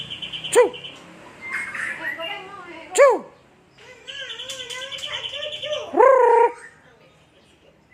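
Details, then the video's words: White-rumped shama from Aceh: three sharp, loud swooping notes about three seconds apart, separated by softer whistles and a steady high trilled phrase. "MB Murai Batu Aceh Super"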